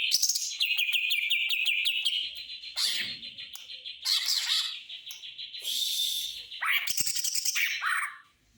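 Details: Greater green leafbird singing a mimicked sewing-machine style: long dense rattling and chattering trills at high pitch, rising and falling in intensity with brief pauses, fading out at the end.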